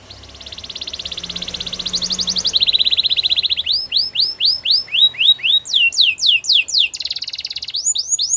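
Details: Canary song that builds from a soft rolling trill into a loud buzzy roll, then a steady sequence of crisp downslurred whistles over faint background noise.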